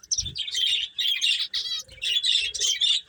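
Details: Playing finches chatter in rapid high chirps grouped into short bursts, with soft low thumps and faint rustling beneath, possibly movement.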